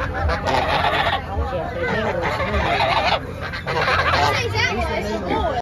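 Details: Angry goose giving harsh, rasping honks in overlapping bursts, some drawn out and wavering, with a low steady rumble underneath.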